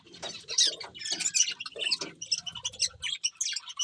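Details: Several budgies chatter in uneven, squeaky high chirps and warbles, the notes tumbling over one another throughout.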